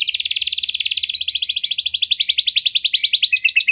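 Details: Canary singing a luxurious cengkok-style song used to prompt other canaries to sing: a fast, even trill of rapid buzzy notes, shifting at about one second to a slightly higher, steadier rattling series that continues to the end.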